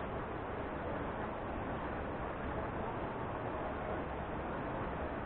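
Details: Dense, even hiss and low rumble like distant traffic fill the recording, with no animal calls.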